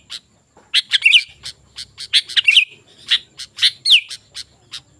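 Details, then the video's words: Sooty-headed bulbul song meant to call in wild birds: clustered sharp chirps and twittering trills in quick groups, with a bright falling whistle near the end and a soft low hum underneath. "Suara Burung Kutilang Gacor"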